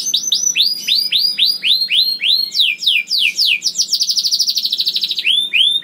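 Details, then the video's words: Young canary song meant to stimulate silent canaries: arching whistled sweeps repeated about three per second, a rapid bubbling trill in the middle, then more curved whistles, over faint low background hum. "KENARI GACOR DOR NGEDUR NGOTOT CUIT CUIT NGEROL AMPUH PANCINGAN KENARI PAUD"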